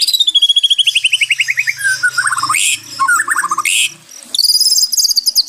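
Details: White-rumped shama, used as therapy for stressed birds, sings a long falling series of rapid repeated notes, then harsh bursts and short warbles, and finishes with a high fast trill. A faint low hum runs beneath.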